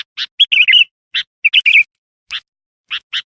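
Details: Energetic sooty-headed bulbul song used as a lure for wild bulbuls: short sharp chirps between brief rolling, slurred warbled phrases, delivered in irregular bursts with short pauses.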